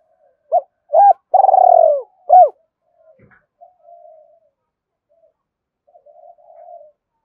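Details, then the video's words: A single cooing phrase from a spotted dove, used to prompt another to call: two short coos, a long purring note, one final coo, then faint low murmuring. "tiếng cu gáy Thúc Gáy gọi, cu gay kich boi nhanh noi gù"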